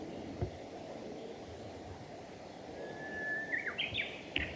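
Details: Female long-tailed rosefinch (Carpodacus sibiricus) on the Hayatogawa forest road at Lake Miyagase, 5 April 2020, gives a thin drawn-out whistle, then a few quick, higher rising notes, against a steady background hiss.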